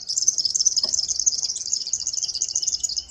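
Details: East African double-collared sunbird from an isolated sky-island population sings a rapid, unbroken high-pitched twittering jumble of thin notes, continuing without pause over a low background rumble.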